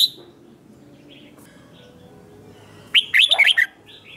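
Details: Red-whiskered bulbul competition song: after quiet background, a short burst of rich, warbled notes sweeping up and down, with faint distant bird calls earlier.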